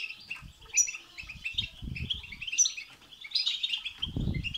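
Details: European goldfinch song for prompting a goldfinch to sing: continuous mid-high twittering and chattering notes over intermittent low rustling or fluttering noise, strongest near the end.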